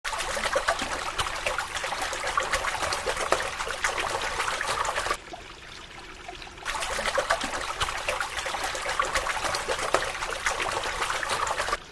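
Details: Steady trickling and splashing water fills the recording, with a brief quieter gap midway and no animal voice standing out.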